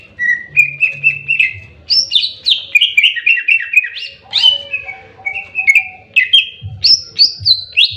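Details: Greater green leafbird singing in fighting mode: a rapid, varied run of loud whistled notes and slurred phrases, some rising and some falling, with short trills between bursts and a faint low hum underneath.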